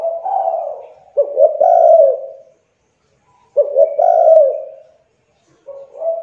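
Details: Spotted dove, young, cooing as a lure for silent doves; two full phrases about two and a half seconds apart, each a few quick clipped notes running into a drawn-out hoarse coo.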